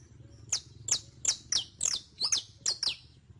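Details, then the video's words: Saffron finch, known locally as canario criollo, a captive bird used as a singing tutor; high sharp chips sweeping down from very high pitch, repeated roughly every third of a second in an even series, low steady hum behind. "ENSEÑA A CANTAR A TU CANARIO CRIOLLO CON ESTE AUDIO DE 15 MINUTOS [SICALIS FLAVEOLA]"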